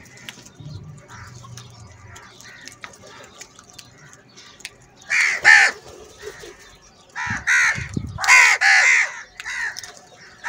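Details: Crows in a large group fighting over food: harsh, hoarse caws in bursts, a pair near the middle, then a rapid run of loud overlapping caws a little later, with a faint low hum and quieter background calls.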